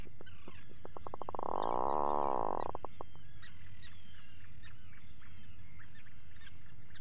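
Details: Atlantic puffin at breakfast inside its burrow, filmed by a live nest camera at 04:58 on 28 June 2019: a run of quick clicks builds into a drawn-out, droning moan of about a second, with the chatter of many other birds behind.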